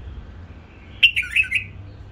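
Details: Hybrid bulbul reared by its keeper sings one quick phrase of four clear, fluty notes, the middle ones dipping lower, against quiet surroundings with a faint low hum.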